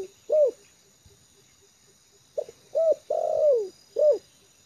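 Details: Trained lure spotted dove at ease on the ground, delivering low hollow coos: a single coo, a pause, then a phrase of short coo, rising-falling coo, long sliding descending coo and closing coo, with a quiet background hum.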